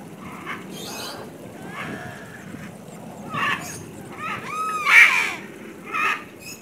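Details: Macaw giving a series of harsh, raspy squawks with strong harmonics. Short bursts arrive irregularly and grow louder toward the end, the loudest near the close, over a low steady background rumble.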